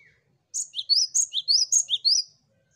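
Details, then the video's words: Song of a cinereous tit, used to coax other birds into singing: loud, high paired notes, a sharp high note then a lower one, repeated about seven times in under two seconds, on a clean, quiet background. "Burung Gelatik Batu Pancing Ombyokan Agar Cepat Bunyi l Zeer melodieuze zang van de Mees (vogel)"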